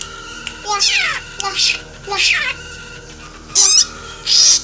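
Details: Black drongo imitating eagle and cat: descending meow-like slurred notes alternating with harsh buzzy bursts, about five phrases spaced irregularly, low hum underneath.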